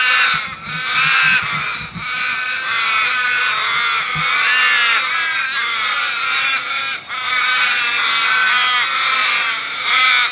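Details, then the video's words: Flock of crows calling loudly together, a dense wall of overlapping harsh, nasal caws with no gaps, brief dips in intensity near two and seven seconds. "Crow call / Crow Sounds / Crowsound / Flock of Crows Sound Loud"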